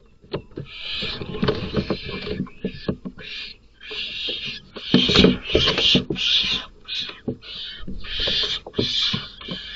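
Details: Barn owls at a nest box at night as an unrelated male, bent on taking the box as a roost, kills another male's chicks: repeated harsh, hissing screeches in bursts of about a second, with thumps and scuffling inside the box.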